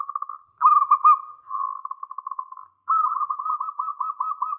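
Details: Local zebra dove singing strongly, used as a lure for an answering bird: quick soft pulses lead into a loud burbling coo that trails into a fading stutter, followed by another long, bright, evenly pulsed trill.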